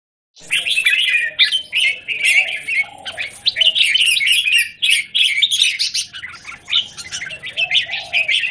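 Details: Caged red-whiskered bulbul performing in a square cage, recorded 17 January 2019: a dense, continuous run of bright chirpy and whistled notes in quick bursts, barely pausing, with a faint low hum underneath.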